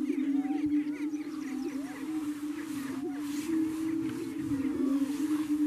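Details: Greater prairie chickens displaying at a lek near Wray, Yuma County, Colorado, April 14, with over 35 birds of both sexes; males boom from inflated air sacs to attract females. Continuous overlapping low hooting drone, with higher whoops and cackles above.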